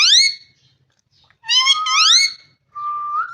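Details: Parrot calling: a loud rising whistle, a pause, then a doubled sweeping whistle with strong overtones, ending on a steady flat tone that lifts slightly at its end.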